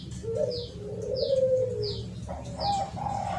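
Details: Spotted dove calling, used as a bird-catching lure: low, drawn-out cooing notes, then a short rising coo phrase. Another bird gives repeated thin, high, falling whistles over background hiss.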